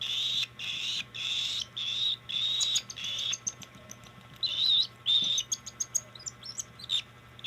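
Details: Hand-fed cockatiel giving raspy, hissing begging bursts that come quickly at first, then give way to a scatter of sharp ticks and clicks.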